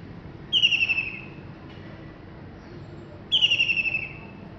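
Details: Common kingfisher in Pulau Pinang (Penang) on 24 December 2020, described as having a big voice for its small body: two shrill, high whistled notes, each slightly falling with a fluttering pulse, about three seconds apart, over faint background hiss.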